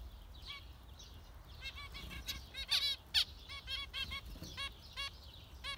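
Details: Zebra finches calling busily: rapid, overlapping nasal beeps with buzzy harmonic tones, several loud bursts near the middle, suggesting more than one bird chattering together.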